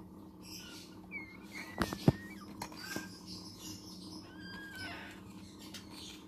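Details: Hand-raised blue-eyed cockatoo chick begging: thin whistled notes that slide and bend, in a few short bouts, with sharp clicks and knocks and a steady low hum throughout.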